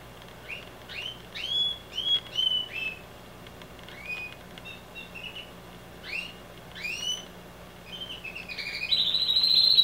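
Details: A male canary sings loudly, with scattered rising whistled chirps and short warbled phrases separated by pauses, ending in a sustained high trill.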